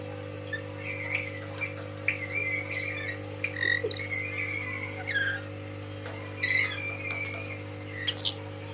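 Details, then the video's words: Tame lory whistling a string of wavering, level and slightly rising notes, some clipped and buzzy, against a strong low hum and room noise. "Kicauan Nuri"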